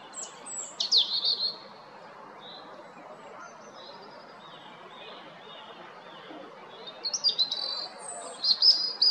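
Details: Singing robin in Zagreb, Croatia, spring 2022: a high cascading phrase of twittering notes, then a few soft high whistles, a pause, and another rapid glittering burst at the end, over low constant noise.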